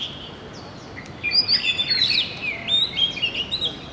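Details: Oriental magpie-robin: after a quiet start, a sudden burst of clear whistles and twisting sweeps, rising and falling, continuing to the end over faint hiss.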